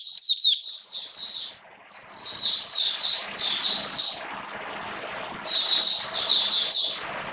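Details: Caged Oriental white-eye in wet rainy weather, 29 September 2022, giving bursts of high buzzy chirped notes in three groups with quieter gaps, against a soft hissing background.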